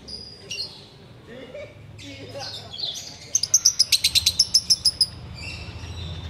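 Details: Sooty-headed bulbul singing ngekek while waiting to break the fast. Scattered whistles and warbles open the passage, then a burst of around a dozen sharp, high chattering notes follows in quick, regular succession.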